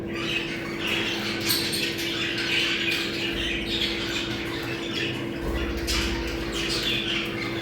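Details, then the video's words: Group of budgerigars heard in a recording for breeding stimulation: continuous chattering warble with sharp chirps and squawks, softer toward the middle, over a low constant hum. "Muhabbet kuşu kızıştırma sesi. Muhabbet kuşu çiftleşme sesi"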